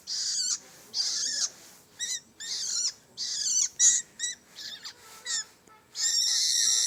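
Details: Young long-tailed shrike with scratchy high calls, some short and clipped, others drawn out, ending in a long continuous rasping squeal.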